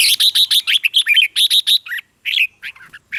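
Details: Red-whiskered bulbul song used for training caged birds or for trapping: a rapid run of loud, clipped whistled notes, about four per second, then a short pause and a few scattered chirps.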